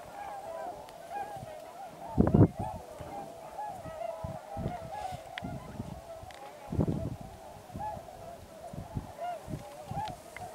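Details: A large flock of migrating Tundra swans at the Pungo Unit of Pocosin Lakes National Wildlife Refuge keeps up a continuous babble of soft honks and bugling notes, with occasional louder low-pitched bumps and rumble.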